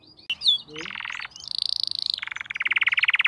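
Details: Crested canary singing in top form: a brief whistle, then sustained buzzy rolls at changing pitches, ending in a fast pulsing trill, with faint background noise.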